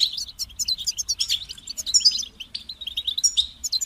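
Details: Motivating song of a European goldfinch, a continuous stream of rapid high chirps, tinkling trills and twitters, with one brief dip before the fast twittering resumes, clear of other noise.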